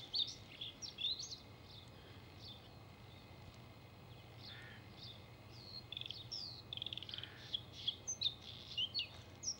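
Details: Singing male Bluethroat delivering scattered high chirps and whistled notes, a quieter gap in the middle, then a dense closing stretch of bright, rising and falling notes, with steady low background noise throughout.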